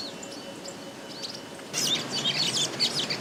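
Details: Village weaver building its nest: quiet at first, then a sudden burst of dense, high, scratchy chattering and buzzy notes over the last half, with a faint steady background hum.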